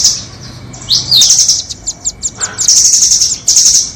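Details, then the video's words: Trapping lure of nuthatches, doraemon and red-billed types: a sliding whistled note leads into a string of quick, evenly spaced high chips, then two sustained shrill rattling trills. "Pikat burung rambatan doraemon vs paruh merah. merambat dan terpikaatt‼️."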